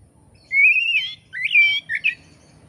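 Oriental magpie-robin singing three loud, clear whistled phrases, the first a long rising slur, then quicker bright twisting notes. Faint low rumble behind.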